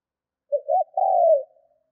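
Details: One phrase from a spotted dove decoy trained to excite wild birds: a soft wavering lead-in followed by a long, smooth coo that slides gently downward and fades.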